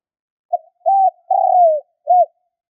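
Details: Quick cooing phrase of a spotted dove, used to excite decoy birds: a soft short note, a steady coo, a long downward-sliding coo, then a final brief coo, with no other sounds.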